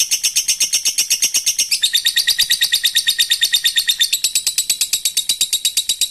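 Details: Long fighter-style ngekek from a lovebird meant to make other birds join in: steady, fast, machine-gun chatter of high rasping notes, pitch stepping down then up again over six seconds.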